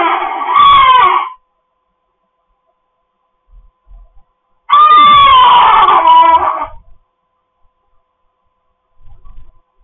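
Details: Pet cockatoo indoors giving two loud, harsh, raspy screams, the first about a second long, the second near two seconds, separated by a few seconds of quiet with faint soft knocks.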